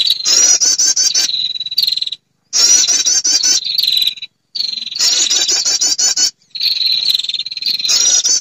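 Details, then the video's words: Female prinia calling to males, used to lure birds: four bouts of loud, quick, wavering high trills, each trailing into a flat buzzy note, with brief silent gaps. "SUARA PIKAT PERENJAK BETINA memanggil jantan"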